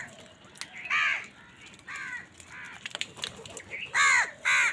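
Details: Crows calling in the morning while fighting wild birds for food: harsh, slurred caws with a hoarse, nasal tone, in scattered pairs with short gaps, over faint background bird chatter.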